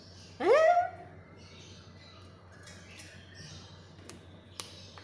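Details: Black-capped lory giving one short squawk that sweeps sharply upward, then some quiet soft rustles and two faint clicks against a low steady hum.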